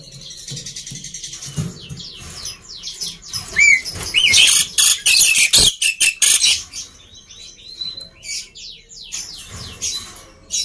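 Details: Black-winged myna in noisy song, meant to coax quiet mynas into singing: soft buzzy chatter, a whistled note, a loud run of harsh screeches, then thinner buzzy notes.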